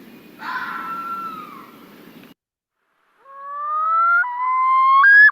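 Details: Common loon (Gavia immer) yodel, given only by males: loud, clear wailing notes that climb and jump upward in steps.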